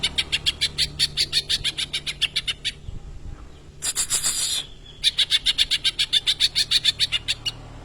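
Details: Greater green leafbird with kingfisher imitation: rapid strings of sharp repeated chips, about four per second, broken by a brief harsh rushing burst, then the chipping series resumes strongly.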